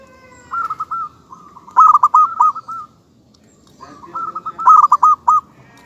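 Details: Cooing phrases from a local zebra dove: a soft lead-in of hooked notes builds into a loud rapid series of about eight coos, repeated twice.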